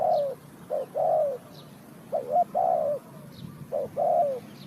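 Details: Spotted dove cooing at a bird-trapping site, Ninh Thuận. Soft low coos grouped as a brief note followed by a longer falling one, the pair repeated three times, with faint high bird chirps in the background.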